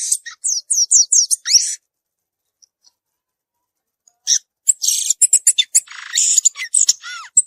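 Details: Violaceous euphonia singing outdoors: a quick series of high downslurred notes, then over two seconds of near silence, then a resumed fast, scratchy twittering mixed with buzzes and thin slurred whistles.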